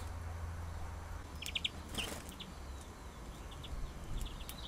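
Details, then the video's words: European greenfinches landing and arguing give a few brief, high chirps in quick clusters, with a soft flutter of wings under steady low wind rumble. "Greenfinch landings and arguments"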